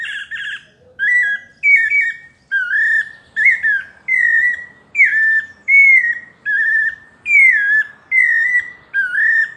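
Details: Pale-breasted thrush in paulista song, melodious and whistled: a few buzzy opening notes, then a steady series of short clear phrases that rise and fall slightly, over a soft background hiss.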